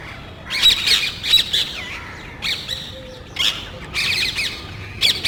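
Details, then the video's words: Parrots in a small group hunting for nest places around electrical and TV cable boxes near houses; loud grating screeches in separate bursts about every second, with quiet gaps between. "Parrots Making Loud Noise.तोता वार्ता"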